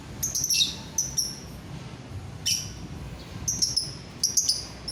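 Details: Scattered shrill lovebird chirps and squeaks, brief notes in small groups separated by short pauses over faint background hum; played to encourage other lovebirds to sing.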